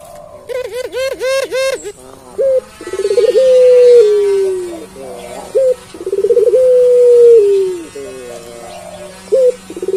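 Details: Barbary dove, puter pelung variety, calls constantly: a rapid run of bouncing notes, then repeated long level coos that tail downward, each introduced by short clipped notes.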